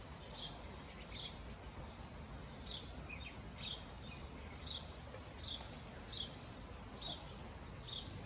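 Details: Wild cedar waxwing flock calling: thin, high whistled notes, each brief and slightly falling, repeated roughly every half second to second over a steady hiss of background noise.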